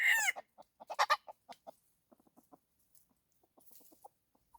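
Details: Red junglefowl decoy bird used to lure wild junglefowl; a brief crow fragment opens, followed by a loose series of soft clucks that fade in and out.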